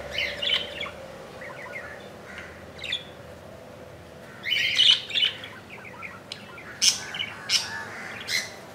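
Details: Budgerigar chick hatched 15 July 2018 at 2 AM, in its second day in the nest and about an inch long; scattered high chirps and short squeaky notes, clustered around the fifth and seventh seconds, over a soft steady room hum.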